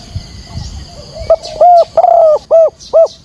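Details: A caged decoy spotted dove gives thúc gù calls meant to attract wild doves into a trap; after a quiet start, five loud, distorted coo notes follow quickly, one drawn-out and falling.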